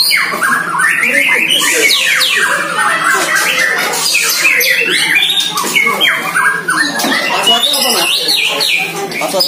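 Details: Caged White-rumped shama, a year old, sparring in song for the first time with a neighbour's shama: rapid, crowded phrases of whistles, chips and harsh notes filling the recording without pause.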